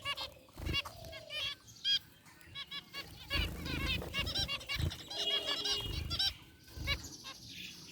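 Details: Caged group of zebra finches, among them a rare white bird, chirping in an aviary: rapid runs of nasal beeps, some in long strings, with a softer stretch before the calls pick up again.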